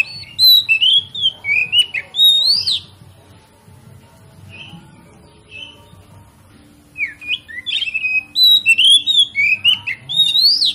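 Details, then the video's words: Kacer (Oriental magpie-robin) lure song for rousing rival birds to sing: loud phrases of whistled, rising and falling notes for about three seconds, a quiet gap with soft distant whistles, then another energetic run of sharp whistles. "PANCINGAN KACER PALING AMPUH MERANGSANG KACER LAIN AGAR LANGSUNG BONGKAR ISIAN"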